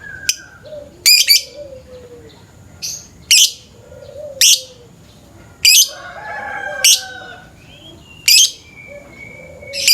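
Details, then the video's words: Lovebird in the morning, lure recording: repeated loud harsh chirps and squeaks every second or so, with short buzzy notes between them. "Pancingan suara burung lovebird pagi pagi ngekek panjang"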